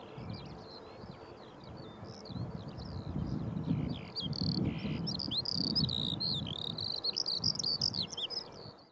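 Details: Young Eurasian skylark grounded at Stafford Common; high chirping and warbled notes, busier and louder in the second half, over low rumbling background noise and a steady hum.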